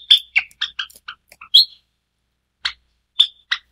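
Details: White Java sparrow, a pure white form of the species, introduced in Taiwan. A quick run of high clipped chirps and tinkling notes, then a pause and three more separate chirps.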